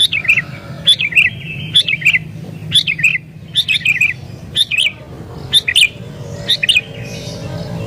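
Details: Sooty-headed bulbul in agitated song intended to attract wild bulbuls; repeated bright, slurred phrases dropping in pitch, roughly one each second, over a low background hum.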